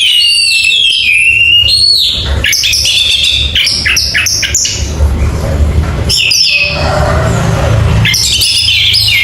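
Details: Orange-headed thrush in loud, lively song: varied whistled phrases, slurred rising and falling notes and rapid chattering bursts, with short pauses, recorded close with some room echo and low background rumble.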